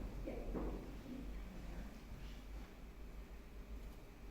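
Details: Muffled indoor speech with a soft thud like a drawer or door closing, over low rumbling room noise and no animal sound.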